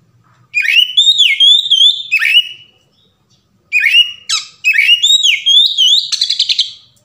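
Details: Oriental magpie-robin song used as a lure to trigger a bird's singing: loud, varied whistled phrases with sweeping rising and falling notes, harsh buzzy bursts, and rapid trills, in two bursts separated by a brief pause.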